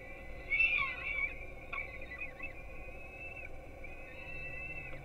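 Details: Peregrine falcon nestlings being fed breakfast at a nest in Gdynia, Poland, filmed by live camera at 4:21 am; thin, sustained high wails rise and waver almost continuously, fainter than the low constant hum beneath.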